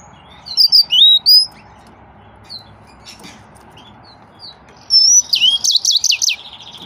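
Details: Yellow-fronted canary (Crithagra mozambica), song.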